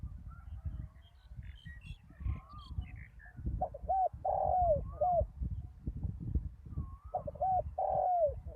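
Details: Deep-voiced spotted dove working as a ground decoy after a storm repeats its coo phrase twice, each a short note, a long falling note and a closing hoot. Thin high bird twitters and steady low noise surround it.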